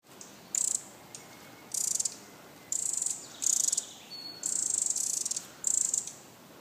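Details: Pacific wren alarm call: short, very high, buzzy chattering bursts, each about half a second long, repeated roughly once a second over a quiet background.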